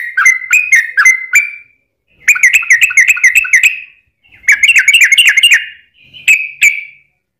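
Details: Lure recording of a yellow-vented bulbul in long 'ropel' song style, meant to set other birds singing: bursts of rapid bubbly warbled notes separated by short silences, ending with a few isolated chirps.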